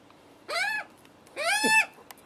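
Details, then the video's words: Hungry juvenile Australian magpies on their first visit, screaming to beg for food while a nervous adult male is nearby; two loud, harsh, harmonic-rich screeches, each arching up then falling, about a second apart. "screaming hungry juvenile Magpies"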